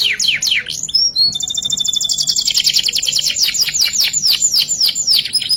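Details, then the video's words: Canary singing in lavish 'ngerek' style with fills: descending swooping notes, a brief thin whistle, then a long dense high buzzing trill merging into rapid repeated downslurred notes. "Masteran Suara Burung Kenari Full isian Gacor ngerek Gaya Mewah Istimewa"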